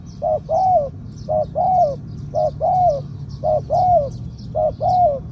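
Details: Medium-voiced spotted dove, kept as a decoy bird on the ground, cooing in the two-kuk 'ku-ang' style: five steady pairs of a short note and a longer bowed note, evenly spaced about a second apart.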